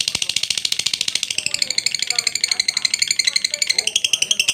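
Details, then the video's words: Lovebird giving a long ngekek trill, a rapid, high, buzzy chatter of evenly pulsed notes that runs without pause for the whole stretch, with a faint rattle in the background. "MASTERAN LOVE BIRD NGEKEK PANJANG"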